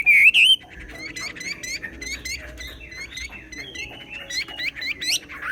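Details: Chinese hwamei singing in xòe style. A loud, brief warbled whistle opens, followed by softer, more distant-sounding repeated chips and slurred whistles, ending in a rising whistled flourish.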